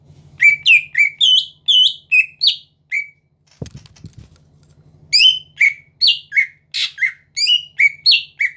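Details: Captive greater green leafbird singing to goad rivals into answering: bursts of clear whistled and slurred notes in quick succession, broken by a pause with a short low knock and hum, then resuming.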